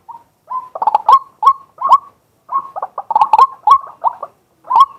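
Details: Male white-breasted waterhen used as a decoy, calling in daytime and recorded live from a fixed camera: bursts of harsh, croaking notes around a mid pitch, repeated in quick clusters with short pauses, with sharp clicks between them.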